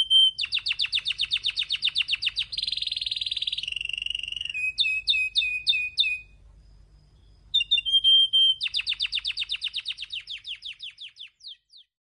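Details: Syrian canary song: rapid rolled trills of bright high notes, a buzzy sustained tour, then chopped repeated phrases, a short pause, and another fast descending trill.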